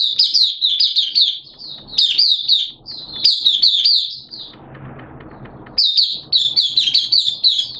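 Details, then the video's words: Oriental white-eye kept by a bird hobbyist, in opening song (buka) on 11 September 2022 during wet, erratic weather; rapid high twittering phrases of chirps, broken by short pauses and faint low background rumble. "Mata Puteh T-Rex Buka Sing"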